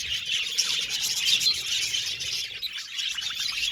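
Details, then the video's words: Group of budgerigars in steady chatter, many overlapping high chirps and warbling notes forming an unbroken bright band, with a few clear whistled tweets on top. "Budgies Chirping Sound"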